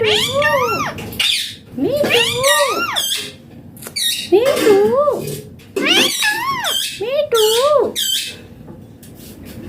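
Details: Indian green ringneck parrot loudly chattering speech-like syllables, each a rising-falling nasal tone, delivered in rapid runs of several with brief gaps, some rough squawky edges, steady indoor hum beneath.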